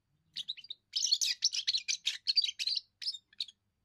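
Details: First song of a young European goldfinch, declaring territory and impressing females: a few opening chirps, then a lively stream of rapid, scratchy twitters and tinkling notes, fading into scattered single chirps.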